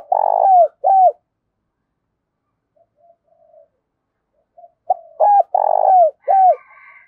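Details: Spotted dove cooing in the thổ voice style with a touch of đồng: a low, mellow coo phrase of a long note and short hooked notes, a pause, then the phrase repeated, with faint higher chirps at the end.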